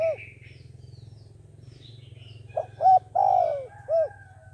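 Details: Caged decoy dove for bird trapping: after a quiet start with a steady low hum, a clipped note, a rounded coo, a long descending coo and a final short coo follow.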